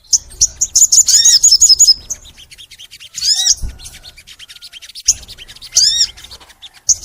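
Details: Crimson sunbird in long, spirited song: a fast burst of high chirps and a rapid trill, then short sweeping slurred phrases that rise and fall, separated by quiet gaps.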